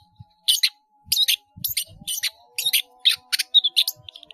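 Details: Long-tailed shrike, caged, singing actively with many mimicked phrases: brief scratchy chattering bursts roughly every half second, ending in a few thin whistled notes, over a steady faint tone.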